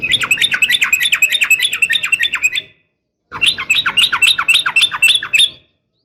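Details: Female sooty-headed bulbul calling a male, a long rapid chattering 'ropel' call used to spur males to sing: two bursts of fast, harsh repeated notes, about three per second-fraction, separated by a short silence.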